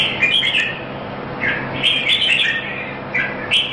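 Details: Singapore competition bird, a red-whiskered bulbul, delivering short, lively whistled phrases with sharp upward flicks, in separate bursts about a second apart, over low background hiss.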